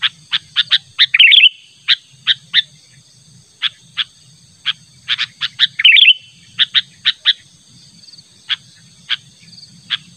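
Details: Sooty-headed bulbul calling insistently to lure a rival, natural voice: sharp chirps repeated at uneven intervals, broken by two brief fluttering, warbled bursts, over a steady thin high whine and faint low rumble.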